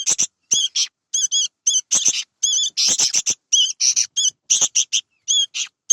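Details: Sooty-headed bulbul nestlings produce repeated high, scratchy calls with wavy tonal overtones in quick clusters, some notes clipped and sharp, continuing steadily with short pauses.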